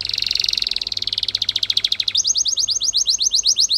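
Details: Spanish Timbrado canary delivering a fast rattling trill that gradually slows, then switches to a quick series of crisp rising-falling notes.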